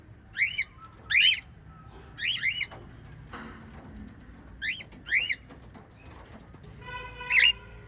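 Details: Five white lovebirds chirp actively, giving about eight shrill, buzzy, up-and-down chirps in uneven pairs and singles, with a few soft knocks between calls.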